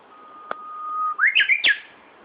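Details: A bird singing in Tokyo, Japan, on 1 June 2013: one long, steady whistled note held for about a second, then a quick rising flourish of three or four warbled notes; a single sharp click sounds earlier.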